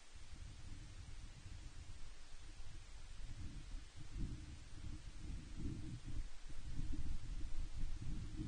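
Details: Quiet low rumbling and soft rustling, like wind buffeting a microphone, with no animal voices.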